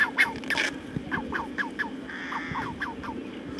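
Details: Magellan geese in a zoo calling: a series of short, soft, falling nasal notes repeated about every quarter second, with a steady low hum and background noise.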